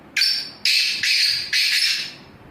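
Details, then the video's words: A black francolin calls: one loud, raspy phrase of four harsh notes in quick succession, each strident and grating, the phrase lasting about two seconds against a quiet background. "black francolin voice"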